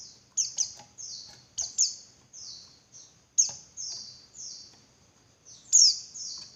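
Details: Female Javan white-eye calling, used to provoke males into singing more persistently; a rapid series of high, thin, descending buzzy notes, often paired, repeating irregularly through the clip with faint low background hum.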